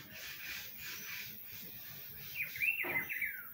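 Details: A rufous-browed peppershrike in spring delivers one quick, loud warbling whistled phrase near the end, following soft background hiss.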